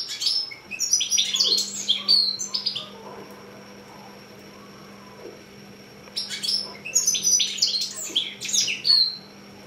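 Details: Young goldfinch-canary hybrid, six months old, kept indoors, delivering two lively bursts of rapid twittering, trills and rising whistles with a pause between, over a constant faint electrical hum.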